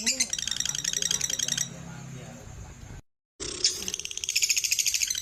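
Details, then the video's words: Lovebird chatter meant to spur other birds into ngekek and gacor song: bursts of rapid high rattling pulses, broken by a quieter stretch and a short silent gap, then resuming loud and fast. "Terapi Burung Lovebird biar Cepat Gacor"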